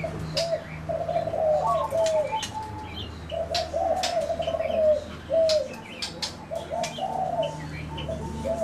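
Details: Zebra doves cooing in rolling, slightly trilled phrases that rise and fall, several bursts in a row with short pauses, while sharp high chirps from other birds and a low background hum continue.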